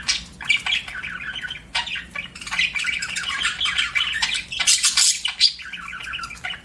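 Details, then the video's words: Budgerigar kept as a pet, giving a busy, almost continuous chatter of buzzy warbles and sharp clicks, with one harsher squawk-like burst near the end. "BUDGIE CHIRPING SOUNDS"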